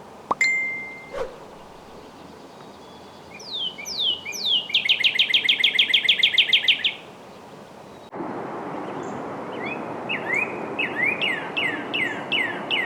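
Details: Wild northern cardinal singing outdoors in early spring: a few downslurred whistles lead into a fast rapid trill of repeated chips, then after a break a series of clear downward-slurred whistles repeated about twice a second over steady background traffic noise.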